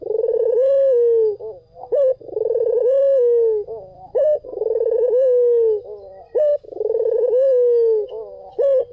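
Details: White collared dove cooing in a steady loop: a long, smooth, slightly falling coo followed by short clipped notes, repeating about every two seconds.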